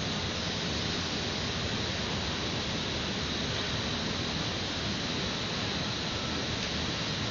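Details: Constant hissing rush of wind or machinery noise throughout, with no animal sound.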